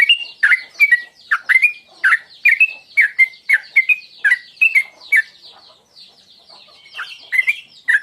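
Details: Repeated bubbly, slurred phrases from a sooty-headed bulbul, a lure call in tuklik tuklik ngingklong style meant to provoke singing, delivered about twice per second before a brief lull near the end.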